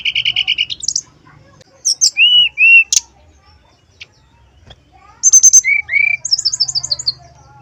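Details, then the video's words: Flute-like 'nyuling' lure song of a male brown-chested jungle flycatcher, played to draw answers from other males. Rapid trilled bursts alternate with clear level whistles and short down-slurred notes, ending in a fast descending trill. "TES SUARA SRDC JANTAN KALIAN.!! PANCINGAN SRDC SIKATANRIMBADADACOKLAT, SUARA SRDC, SRDCNYULING"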